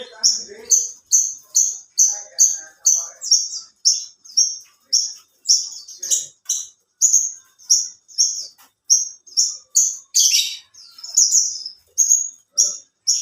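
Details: Sustained song of a competition branjangan (alinea): a long unbroken train of high piercing notes in quick rhythm, occasionally swelling into a louder buzzy burst, with a faint low murmur near the start.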